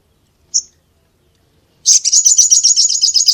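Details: Sogok ontong (little spiderhunter) singing: a lone sharp high note, over a second of silence, then a fast, steady run of shrill chirping notes, about four per second, continuing to the end; quiet background.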